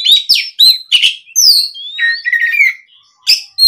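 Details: Oriental magpie-robin answering a rival: rich run of sweet rising and falling whistles mixed with harsh chatter and a short rattling trill, given in quick succession.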